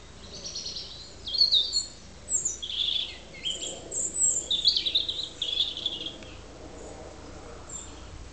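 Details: European robin singing in autumn at Alyth, Scotland, on 30 September 2007, declaring and defending its territory: varied high, thin warbled phrases with sweet trills and quick pitch jumps, delivered in short bursts separated by brief pauses, with quiet background.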